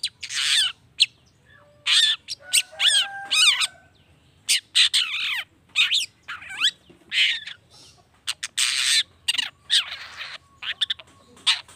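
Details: Long-tailed shrike singing in a lure recording intended to make other shrikes respond: harsh rasping notes mixed with quick slurred whistles and warbled phrases, delivered in busy, irregular bursts with faint whistled tones behind.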